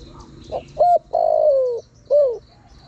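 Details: Lure call of a spotted dove used to draw in wild birds: one full soft cooing phrase of two clipped notes, a drawn-out descending croon and a shorter sliding coo, over a faint high buzz.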